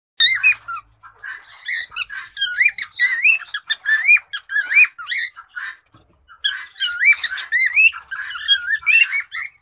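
A male cockatiel sings a lively run of rising and falling whistles mixed with chirps.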